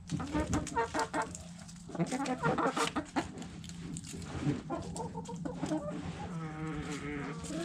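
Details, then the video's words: Backyard hens and roosters pecking at food scraps; dense overlapping clucks in the first half, then a sustained wavering harmonic call toward the end, with clicking pecks and a constant low hum. "Backyard Chickens Food Scraps Mukbang Sounds Noises Hens Clucking Roosters Crowing!"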